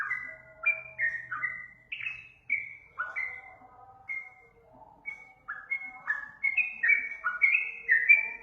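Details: Sooty-headed bulbul lure song with chattering whistled phrases, a quieter middle stretch of isolated notes, then a dense run of rising whistles; faint low hum behind.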